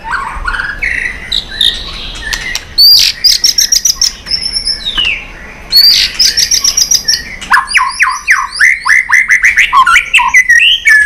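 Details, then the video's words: White-rumped shama giving intense competition song with tail flicking, in a long, varied forest-style repertoire: rising whistles and clipped chips, then dense bursts of sharp upslurred notes repeated rapidly near the end. "chòe lửa tạch đập đuôi kích lửa hót đấu căng lửa.luyện chòe lửa hót nhiều giọng rừng dài"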